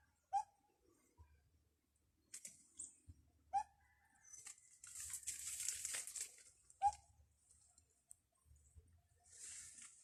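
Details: Bird calling from a treetop: three short, sharp rising notes spaced about three seconds apart, between stretches of loud rustling hiss and soft low thumps.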